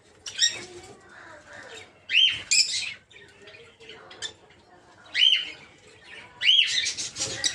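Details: Aviary of peach-faced lovebirds, or rosy-faced lovebirds, bred in captivity with mutations such as lutino and blue rosy; repeated piercing screeches, often in pairs, over continuous twittering chatter.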